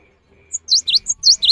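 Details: Java sparrow singing in the afternoon, a song said to prompt other birds to join in: a short run of high, sharp V-shaped chirps, five quick notes in under a second after a brief quiet start.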